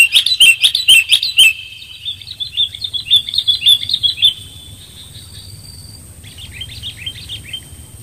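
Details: Clear sooty-headed bulbul lure call: four loud chirp-clicks at the start, a run of softer rippling whistled notes, then a brief faint chirping phrase after a pause.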